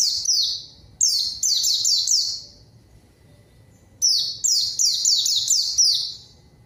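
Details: A white-eye lure song to call in an answering rival: two bursts of fast, high, downward-slurred notes separated by about a second and a half of quiet.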